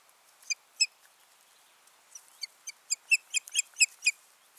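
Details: Osprey pair at the nest on 14 June 2019, giving short, sharp, whistled chirps: two isolated notes, then a quickening burst of about ten rapid, high chirps over the final two seconds.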